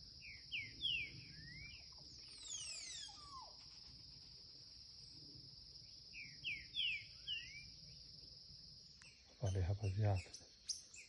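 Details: Young green-winged saltator in curricutil song: short bursts of falling whistled notes, then a pause, ending with a loud low rumbling thump amid constant high hiss.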